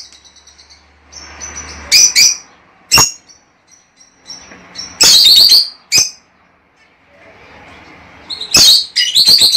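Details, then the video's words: Pet lovebird calls meant to stimulate a female to lay eggs: harsh, shrill chirps and squawks in sudden loud bursts, with thin high tones and soft rustling between them and short quiet gaps. "Estimular a la agapornis hembra para que ponga huevos."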